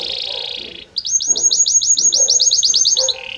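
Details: Belgian canary song with many different notes flowing gradually into one another: a buzzy trill, a short pause, then a rapid series of about fifteen high, evenly spaced chirping notes, ending on a lower buzz.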